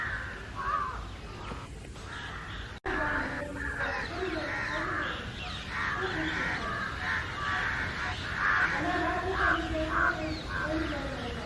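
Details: Flock of house crows and jungle crows calling loudly for a long stretch against an unseen intruder; overlapping nasal caws, irregular and crowded, with a short break early on.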